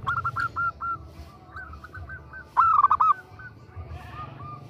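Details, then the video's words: A female zebra dove, perkutut, calls a male: soft repeated coos, then one loud, rapid burst of bouncing notes lasting half a second, followed by faint trailing coos and low background hum. "Suara Perkutut betina Memanggil Jantan || The sound of a female turtle dove calling a male"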